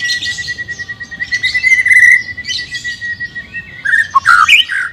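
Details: White-rumped shama in training because it is reluctant to sing: a long, even whistled tone holds for several seconds beneath soft chirps, then sharp, bright slurred notes break in at the close.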